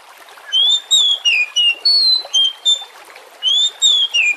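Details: Oriental magpie-robin lure song meant to spur singing: a rapid string of pure, strongly whistled notes, some rising and some sliding down, repeated in phrases over a faint hissing background.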